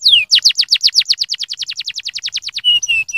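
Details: Canary singing a stimulating song. One falling slur leads into a fast run of about twenty-five steep descending notes, ending in steady, flat whistled notes.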